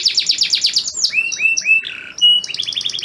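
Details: Male canary song aimed at a female in breeding condition; quick high falling notes, then slower looping whistles and a rapid rising trill.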